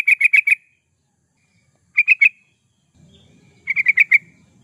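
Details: Yellow-vented bulbul (trucukan) lively song for use as a lure or training recording: clear bubbling phrases of four or five rapid liquid notes, repeated roughly every two seconds in near silence.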